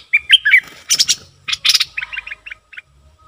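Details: A decoy bulbul gives a quick series of bright, warbled whistles. Harsh, buzzy bursts follow, then a string of short, clipped notes repeated several times, with a faint low hum underneath.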